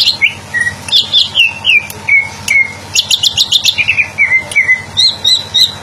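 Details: Greater green leafbird song made of clear whistled phrases that slide downward, broken by bursts of quick high chips near the three-second mark, then more falling whistles and short high notes, over a faint low hum.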